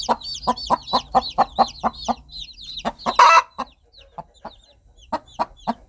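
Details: A mother hen clucks steadily to her baby chicks, one louder raspy note in the middle, then slower scattered clucks; many high falling chick peeps sound over the first half.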